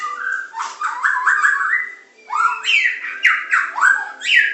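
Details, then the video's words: Medan-type white-rumped shama in a training recording of pancingan, macet, tembakan and isian song styles. Repeated rising, rasping, whistled notes come in two rolling bursts, with a faint steady hum underneath. "Materan burung murai batu medan super-pancingan macet-tembakan-isian"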